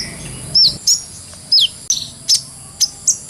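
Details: Brown-throated sunbird in clear-voiced ngobra singing, used for bird training. Sparse high notes include sharp downslurred whistles and bright chips spaced roughly half a second apart.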